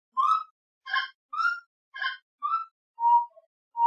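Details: Saracura-três-potes (gray-necked wood rail), Brazil, gives loud rhythmic calls: rich, harmonic hooting notes alternating with higher, sharper squawks, about one note every half second, in a quiet setting.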